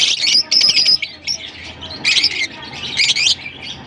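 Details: Several harsh, high squawks and thin whistled notes from lovebirds in Larkana, delivered rapidly in clustered bursts over steady background hiss.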